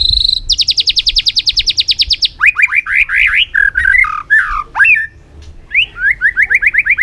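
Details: White-rumped shama song of varied forest-style phrases: a long fast trill of rapid repeated notes, then buzzy downslurred and twisting whistles, closing with a series of quick repeated rising notes.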